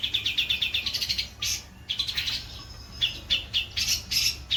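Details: White-breasted long-tailed shrike, kept as a cagebird, singing: runs of rapid, repeated high chirps and harsh bursts, broken by short pauses, with a faint low hum behind.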